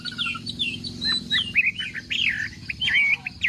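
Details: Chinese hwamei, morning contest singing: quick varied whistles and twittering notes jumping across pitches, with low background rumble.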